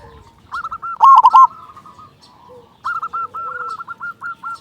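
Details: Local zebra dove with a big voice, sung to make other doves start singing: rapid rolling coo phrases, a loud bubbling burst, then another long run of quick repeated coos.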